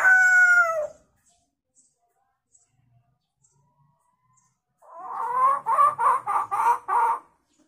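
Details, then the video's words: Hill myna imitating chicken sounds: a loud harmonic call with a falling end, a pause, then a rapid run of about eight clucking pulses in a hen-like rhythm, indoors. "Burung beo gacor fariasi suara ayam"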